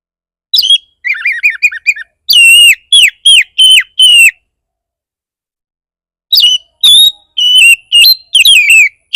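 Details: Fierce Oriental magpie-robin lure song for provoking other magpie-robins to respond. A quick twittering series gives way to evenly spaced loud falling whistles. After a silent pause, more varied whistled phrases follow.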